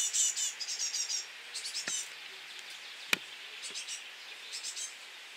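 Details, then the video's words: Great tit chicks beg at feeding time in a very high, hissy, twittering chorus that comes in quick bursts, now and then broken by sharp knocks. "voedertijd.. koolmeesjes"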